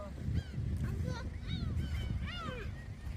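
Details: Gulls crowding around people handing out shrimp snacks at Dolmeori Beach in Hampyeong, Korea, giving harmonic, downward-sliding wailing calls in several bursts over a steady low rumble of wind and surf.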